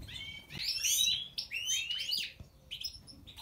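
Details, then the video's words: Major-type European goldfinch with a white throat, singing fast, jangling twitters and upslurred chirps in tight clusters, high and bright, with short gaps between phrases. "Stieglitz Major Weiskehl 🐥 Goldfinch Cardueli طائر الحسون الرائد щегол"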